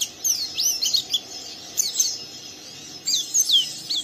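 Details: Young caged oriental white-eye giving scattered rough ngeriwik phrases to draw another bird into song; short high slurred whistles and chirps in two clusters separated by a quieter gap.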